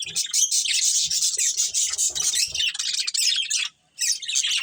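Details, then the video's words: Budgie breeding colony in full chatter, steady high-pitched warbling and rapid chirps from many birds, broken by a short silence near four seconds before the twittering returns. "Cute Budgies Chirping Sounds"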